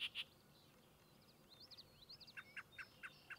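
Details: Yellow-breasted Chat (Icteria virens) singing at Goose Lake Prairie State Natural Area, Illinois, on 6-02-2023: two sharp high notes, a run of quick slurred whistles, then five clipped notes repeated rapidly in an even series.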